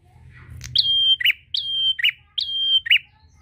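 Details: Prinia singing, used to call a rival: three repeated phrases, each a sharp rising note followed by a long level whistle and a short buzzy chip, roughly every 0.8 seconds, with faint low hum beneath.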